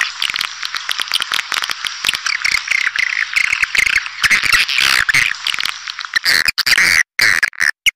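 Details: Edible-nest swiftlet calling track of the pancawarna type, used to lure swiftlets, dense overlapping buzzy chirps and trills that run almost unbroken before thinning into separate clicks at the end.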